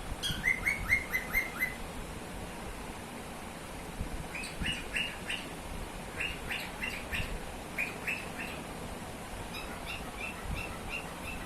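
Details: Cockatiel (Nymphicus hollandicus), call.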